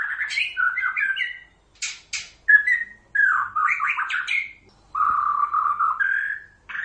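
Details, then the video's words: White-rumped shama, Pasaman type, with chattering twittered phrases, sharp high clicks, a clear whistle and a steady low warbled trill, in short bursts. "Suara murai batu pasaman mp3 (copsychus malabaricus)"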